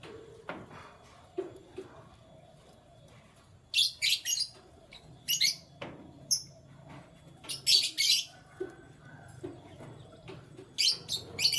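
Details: Canaries heard in the morning giving repeated high, twittering chirp bursts, some in quick doubles and triples, scattered through the stretch with soft clicks and a low background hum.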